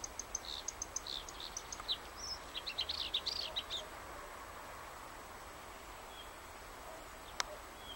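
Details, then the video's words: A bluethroat sings a varied, high phrase of about four seconds: rapid ticks, sharp metallic notes and short whistles, followed by quiet background hiss and a single click. "Как поёт Варакушка"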